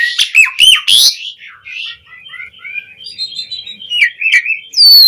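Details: Energetic Asian pied starling song used to prompt caged starlings: loud sharp whistles, then softer warbling chatter, ending with a bright high whistle.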